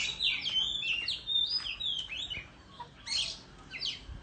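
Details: Oriental magpie-robin singing against rivals in the countryside with a tail-fanning display; fast sequences of sweet, slurred whistles and sharp chirps, then a brief pause before a few more bright notes.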